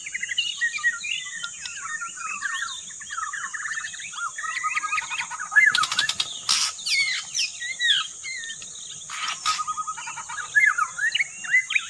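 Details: Lure recording of a white-rumped shama: rich, rapid, varied song of whistled slurs, chatters and trills with scarcely a pause, over a constant high-pitched hum and occasional clicks.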